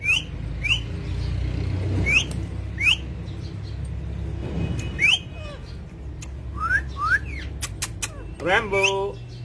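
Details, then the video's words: Parrot at home calling repeatedly: many short, shrill upward-slurred squawks, some paired, a few sharp clicks, and a final buzzy harmonic call, over constant low-pitched room noise. "Parrot Talking"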